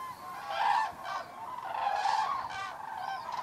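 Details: Common cranes arriving to roost on an October evening at Federow, Germany; close, strident trumpeting calls sound in quick succession over a busy background of other calling cranes.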